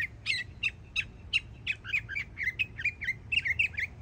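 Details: Yearling Florida mockingbird singing a steady string of short, sharp chip-like notes, evenly spaced and repeated many times, then quickening into paired notes near the end.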